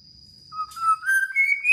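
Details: Black-naped oriole (kilyawan), a newly kept pet bird in the Philippines, giving a clear whistle that steps upward in pitch over under two seconds, with a faint steady high tone behind.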